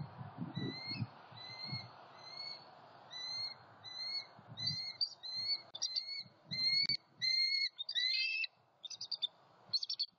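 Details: Bald eagles on a nest cam in southwest Florida, November 23, 2020, as the male flies in carrying an opossum and the female claims the prey: high, thin chirped notes with a lower harmonic, repeated about once a second, quickening into denser chatters near the end.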